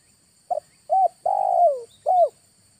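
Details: August recording of a spotted dove lure call. A brief soft opening coo leads into a smooth drooping note, then an extended rolling coo that descends. A last clear falling coo closes the phrase. A faint constant high-pitched hum sits underneath.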